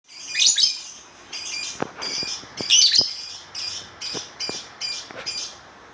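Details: Lovebird calling with thin, high chattering chirps in short bursts about every half second to a second, sharp clicks and faint background hiss in between.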